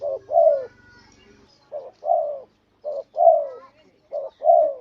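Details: Spotted dove calling to lure and anger a rival bird: short-long pairs of deep, rolling coos, the second note falling, repeated three to four times, with a low hum briefly underneath at the start.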